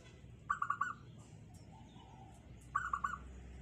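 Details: Zebra dove (perkutut) with a tight, small, sought-after voice: two crisp rolled cooing phrases of four rapid notes each, about two seconds apart, a faint lower warble between, over soft background hum.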